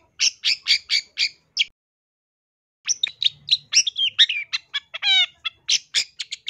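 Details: Long-tailed shrike song used for training birds, loud and vigorous: a run of rasping notes, a pause, then a varied jumble of chirps, quick slurred whistles and a rapid trill-like burst.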